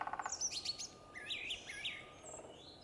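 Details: A brown thrasher gives its morning song near forest-edge thickets: a quick run of varied phrases, a burst of fast low clicks, then bright slurred whistles and buzzy notes over soft background hiss.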